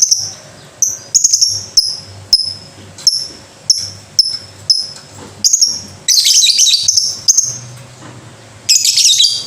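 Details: Lovebird ngekek-style song. A series of clear, descending high chirps repeats roughly every second. It then turns into loud, harsh, dense chattering bursts. Faint low hum in the background.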